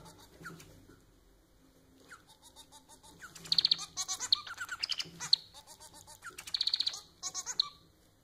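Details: Domesticated society finch singing as a pet: soft low chirps build into loud phrases of rapid high clicking trills and buzzy rattles, repeated several times.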